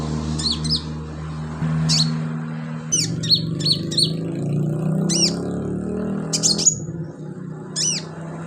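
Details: [['Vocal sunbird used as training filler for songbirds gives sharp, high, downward-sweeping chirps in quick pairs and triplets, repeated every second or so over a steady low hum and background murmur.']]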